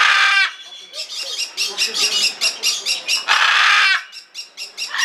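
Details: Blue-and-yellow macaw, Ara ararauna, kept at Belgrade Zoo, Serbia, recorded in February 2022: harsh, broadband squawks open and recur midway, separated by a quick run of short, rasping pulses.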